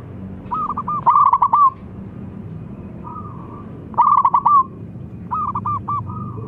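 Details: Local zebra dove calling in top form while a rival answers: overlapping soft and loud phrases of quick, trilled, mid-pitched coos repeated about every three seconds.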